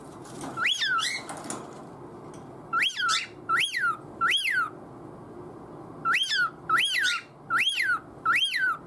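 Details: Cockatiel kept as a pet vocalising to win its owner's attention; repeated steeply rising and falling whistles, a lone call followed by groups of three and four, each note under half a second.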